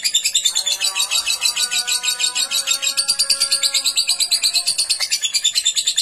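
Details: Lovebird in full, driving song: a dense run of rapid, high, buzzy chattering notes pulsing about three times a second, with fainter lower whistled tones beneath.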